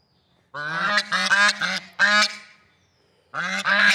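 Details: Swans outdoors giving a string of nasal, trumpeting honks that end in a longer drawn-out note, then a pause before a fresh pair of honks.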